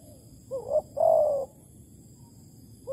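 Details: Spotted dove at a Malaysian bird trap baited with bare bait, 11 August 2020. It gives a wavering short coo and then a long, loud, gently falling coo, then silence until another call begins at the end.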